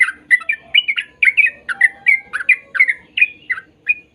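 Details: Sooty-headed bulbul song for training young birds to sing: a steady stream of quick, bubbly, slurred notes, about three per second, with a faint hum behind.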